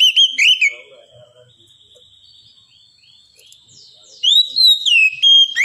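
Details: Oriental magpie-robin with loud whistled notes at the start and end, and soft rapid high chatter in between; the final phrase slides up then down in clear tones.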